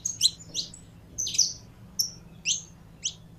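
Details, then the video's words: Saffron finch in a cage, part of a warm-up routine: six separate high, sharp chirps spaced about half a second apart, each a quick downward-slurred note, over a faint hum. "Canário da Terra Esquentando em 3 2 1!!!"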